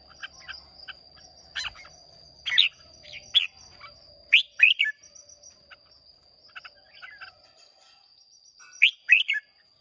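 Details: Contest singing from a Hòa Bình red-whiskered bulbul, Vietnam, 30 May 2023: quick chirpy, slurred notes in irregular clusters, louder bursts roughly every second or two, with a long quiet stretch before a final burst. A thin constant whine runs underneath.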